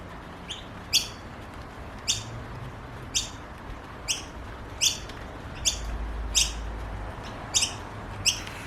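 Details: Noisy miner chicks of a family in Australia calling for food, giving short, harsh, high rasping chirps, about one every second, over a faint low rumble.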